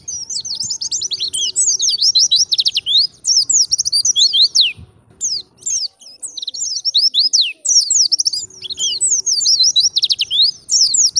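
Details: Pleci, the white-eye, singing gacor ngalas style for training and masteran: rapid, fluent high chattering twitters with sharp downward-sweeping whistled notes in dense bursts, brief pauses near five and eight seconds, faint low hum beneath.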